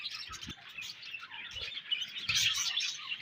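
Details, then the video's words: Budgerigar colony giving dense, continuous chatter of overlapping high chirps and twitters, with brief louder bursts and faint low knocks beneath. "Budgies Colony Chirping Sounds"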